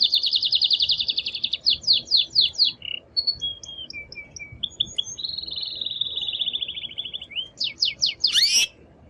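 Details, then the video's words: Excited male canary, singing very strongly to stimulate a female to mate: rapid rolling trill, quick slurred notes, short whistles, a long even trill, then a sharp sweep. "تغريد قوي جدا كناري هائج لتسميع الفراخ | canary singing"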